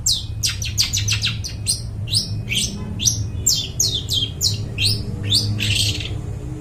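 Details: Long-tailed shrike singing brightly, a lure for wild birds in the forest: a long rapid series of descending whistled slurs and short chips, varied in pitch, over continuous low hum.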